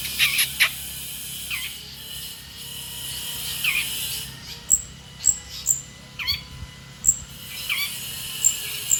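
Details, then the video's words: Long-tailed shrike, a champion contest bird, delivering mimicry bursts of kingfisher calls: spaced sharp high notes and brief chattering phrases with pauses between, over a steady low hum and a faint tonal whine. "BURUNG PENTET PRESTASI TEMBAKAN TENGKEK BUTO"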